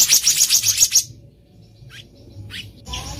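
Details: Black-naped monarch recorded in the wild, giving a quick burst of high, thin, repeated notes lasting about a second, followed by near silence and a couple of soft, isolated chirps.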